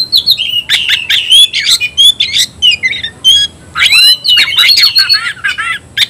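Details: Oriental magpie-robin in energetic fighting song to provoke rivals: fast mixture of warbled whistles, buzzy notes and harsh chips, repeated about every half second, loud throughout with a rising sweep midway.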